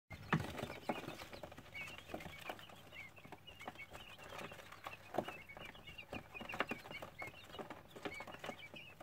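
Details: Colourful quail chicks give many thin, high peeps in overlapping bursts, with soft tapping and pattering throughout.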